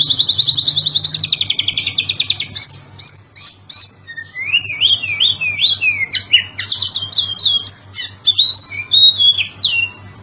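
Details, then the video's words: Oriental magpie-robin in ngobra patah style for training other birds: opens with a fast, even, high trill of about two seconds, then varied slurred whistles, paired rising notes and rapid chattering phrases. "BURUNG KACER NGOBRA PATAH GACOR MANTAP BUAT MASTERAN"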